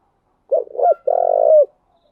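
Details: Decoy spotted dove giving a luring coo meant to provoke wild doves: a soft two-part opening, a brief pause, then a drawn-out low hum-like coo that falls off at its close. Silent surroundings.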